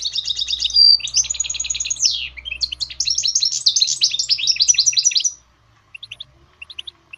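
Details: Singing goldfinch hybrid, recorded to train and motivate songbirds: about five seconds of energetic, rattling warble with buzzy trills and a drawn whistle, fading into scattered short chirps, with a low hum beneath.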